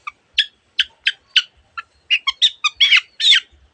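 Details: Long-tailed shrike in lively song full of varied voices of other birds: harsh, scratchy chattering notes in irregular bursts, about a dozen within four seconds, growing denser and noisier toward the end.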